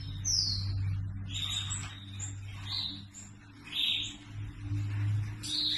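A red factor canary sings bright, high chirps and short twittering phrases in bursts about a second apart, over a steady low electrical hum.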